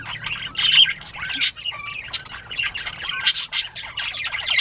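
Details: Several Northern Bobwhites, recorded at 10:13 AM on 19 April 2017, chatter together in a steady stream of high, scratchy squawks and quick chirps, with brief whistled notes mixed in.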